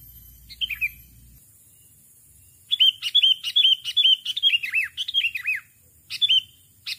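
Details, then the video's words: Rival-luring sooty-headed bulbul in a lively run of rapid, looping chirps and bubbly whistled notes, packed tightly together after a brief opening phrase and a pause. "Pikat BURUNG KUTILANG Memanggil Lawan Suara Khas Burung Kutilang"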